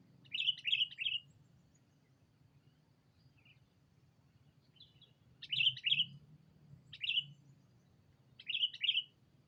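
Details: Sooty-headed bulbul lure call used to call a rival: bright chirping notes in quick bursts of two or three, repeated every few seconds, over a steady low hum.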